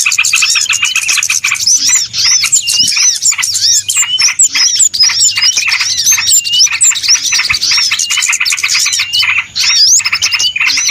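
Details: Trapping lure of small birds, a dense, continuous twittering chorus of sharp chirps and looping whistled notes, steady in loudness with a few brief gaps.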